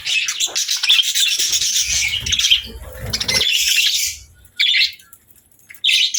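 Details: Pet budgies and lovebirds chirp together during play and feeding. A dense, high, scratchy chatter runs for about four seconds, then drops to short chirp bursts after gaps.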